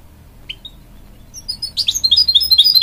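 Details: Canary and goldfinch hybrid singing to encourage young chicks: one short chirp, a pause, then a loud, fast twittering of high, sharp notes.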